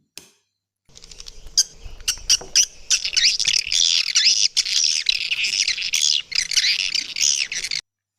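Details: Parent swiftlets, whose calls are played to draw swiftlets to bird houses, chatter in dense, high, buzzy twittering bursts that run almost continuously for about seven seconds, after a faint hum and a few scattered chirps at the start.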